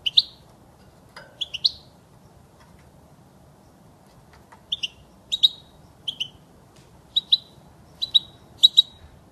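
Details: European goldfinch recorded as an error-free model for teaching young birds; a couple of bright, high chirps open the clip, then silence, then a run of single and paired tinkling notes about once a second.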